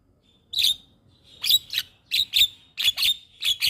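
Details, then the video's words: Javan myna song used as a tutoring recording to make young mynas sing with a full repertoire: sharp, high whistled bursts with a buzzy edge, about eight in under four seconds, separated by brief silences. "Masteran Burung Jalak Paling Ampuh Bikin Jalak Muda gacor Full isian"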